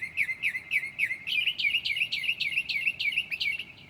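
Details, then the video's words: Night song of a Northern mockingbird at 2 a.m. in July, imitating other species: rapid repeated down-slurred notes, shifting partway into a slightly higher, buzzier repeated phrase. "HIGH QUALITY AUDIO of a Mocking bird at 2:00 A.M."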